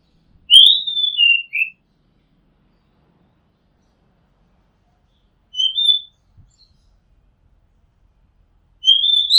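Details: Recorded from a rooftop, an Oriental magpie-robin gives a full whistled phrase, then a short shortened version, then the start of another, separated by long silent pauses.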